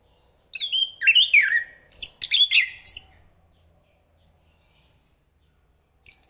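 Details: Chestnut-capped thrush (Zoothera interpres) song: a bright twisting whistled phrase, then a burst of rapid, varied chirps and slurs, a few seconds of silence, and another note starting at the end.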